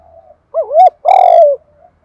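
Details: Spotted dove kept as a decoy, lure-calling in the 'giọng thổ' style to draw other doves in; one soft wavering hoot followed by a longer, fuller drawn-out coo that slides slightly downward.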